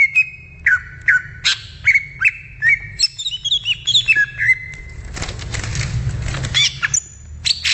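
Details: Wild greater green leafbird singing: clear whistled notes, each a sharp downward slur, repeated about twice a second, then higher twittering phrases. Everything is cut by a burst of broad rustling noise near the end, with a low rumble throughout.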